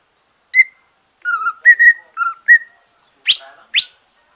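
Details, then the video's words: Green leafbird after its moult, singing to rouse other birds: separate clear whistled notes at two alternating pitches, followed by two sharp upward sweeps and a thin high sustained whistle. "Kicau santai cucak ijo,,rangsangan cucak ijo selesai nyulam"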